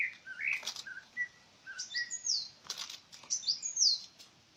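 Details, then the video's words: A bird mixes short mid-pitched chirps with sharp high squeaky notes, interrupted by a few clicking or rustling sounds in an otherwise quiet setting. "Sound of bird"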